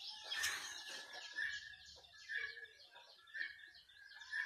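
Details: A group of pet turkeys playing. Shrill, scratchy chirps repeat roughly every second, layered over a continuous murmur of softer calls from the flock.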